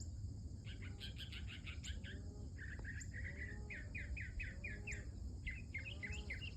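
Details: Mockingbird in early-morning song: varied phrases of rapid buzzy chattering notes followed by repeated clear chirps in quick succession, with a steady high insect-like whine and low background hum throughout.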